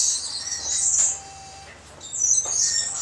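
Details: Josephine's lorikeet, recorded on 24 August 2012, giving shrill, high screeching calls in two bursts separated by a short quieter gap, with a faint whistled note in between.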